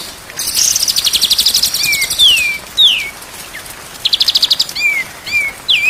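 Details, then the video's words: White-rumped shama training song: an opening buzzy trill, then several clear downward-sweeping whistles, a second short rattling burst, and more falling slurred notes. "MASTERAN MURAI BATU SIANG dan MALAM DI JAMIN BURUNG JADI GAGOR"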